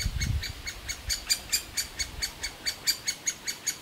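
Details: Begging young of a great spotted woodpecker pair, raised in a hole in a large old aspen, calling for food; a quick run of shrill, even chirps after a brief low thump at the start.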